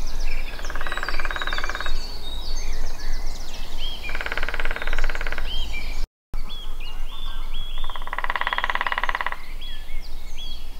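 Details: Lesser spotted woodpecker at Allerød Sø, Denmark: four rapid, even rattling bursts, each lasting about one and a half seconds, spaced a few seconds apart. Other small birds chirp in the background, and low wind rumble is heard throughout.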